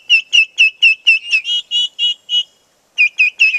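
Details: Turkey poults on a farm, upset at losing sight of ranging chickens: quick high peeps, about two per second, shifting to slightly longer, slurred whistles, then a brief silence before more shrill peeping.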